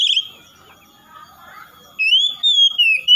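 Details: Oriental magpie-robin (kacer) giving a brief harsh note, then after a quiet pause a rising whistled phrase of several slurred notes, broken into short pieces near the end.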